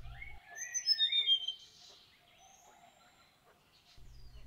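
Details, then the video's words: Male Indochinese blue flycatcher singing to start the day, early morning about 7.30, at Nuy Bird Hide beside Kaeng Krachan National Park, Thailand: a sweet, high, tumbling warble of slurred notes about 1.5 seconds, then faint thin notes over low rumble. "And a male Indochinese blue flycatcher starting the day with a song."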